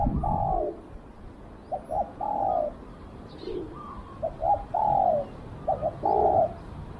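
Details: Spotted dove used as a decoy to lure wild doves, cooing in repeated phrases: short paired notes followed by a longer, drawn-out coo that slurs downward, several phrases over seven seconds with quiet gaps between them.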